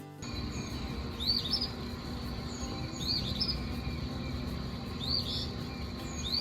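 An Eastern Phoebe gives short, raspy, high two-part 'fee-bee' phrases about every two seconds over a low rumbling background and soft music.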